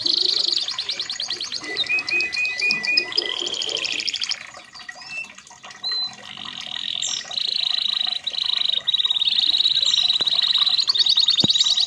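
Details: Red factor canary singing a training song: fast high trills open the phrase, a softer stretch follows with scattered short whistles, then a long sustained rolling trill runs to the end, with faint clicks beneath.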